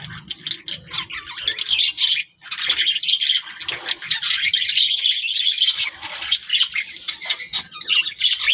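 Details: Budgerigars warbling almost continuously, a dense high chatter of rapid chirps, squeaks and scratchy trills with one short break near the start.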